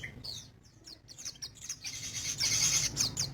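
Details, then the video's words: Actively singing crested jay, known as sogon: quick high chirps early on, then a loud buzzy, hissing high phrase with sharp accents, over a constant low rumble. "Burung sogon gacor"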